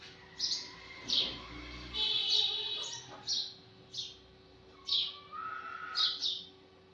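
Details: Morning chirping of a sparrow: a run of short, high, sharp chirps coming roughly once a second, with a brief longer chatter in the middle and a faint lower whistle in the background.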